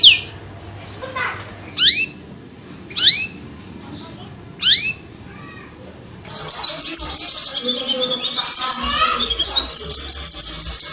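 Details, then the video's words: Canary mating song for breeders: a few separate high, steeply rising whistled sweeps spaced about a second apart, then a dense, continuous high warbling run of rapid notes and trills. "MATING CANARY"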